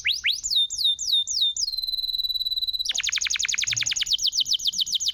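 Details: Canary song meant to restart a silent canary: several sweeping falling notes, a long flat pure whistle held over a second, then a rapid churring trill of repeated syllables.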